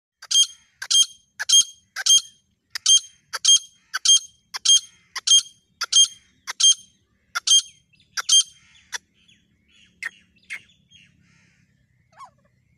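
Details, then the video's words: Female grey francolin, locally called gora or desi teetar, used as a recording for hunting: a loud series of sharp, high, squeaky notes repeated roughly every half second for about nine seconds, then fading to faint scattered calls. "gora teetar shikar female sound female recording audio on staging desi teetar grey francoline voice"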